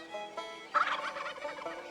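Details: A male wild turkey gobbler in courtship season, when toms strut and call to attract as many hens as possible, gives one rapid, rattling gobble lasting about a second, with soft background music underneath.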